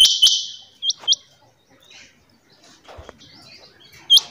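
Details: Female rain quail (Coturnix coromandelica) giving sharp, high, metallic chirps: a loud burst at the start, two quick notes after, then a final chirp, with a soft thump and rustle in the quiet gap.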